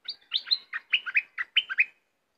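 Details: Loud, close cream-vented bulbul song: a rapid chattering phrase of about a dozen bubbly, slurred notes rising and falling in pitch, delivered in under two seconds, then silence.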